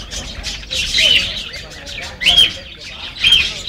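A young parakeet gives three bursts of high, scratchy chirps about a second apart, with thin whistled notes mixed in over a faint background hiss.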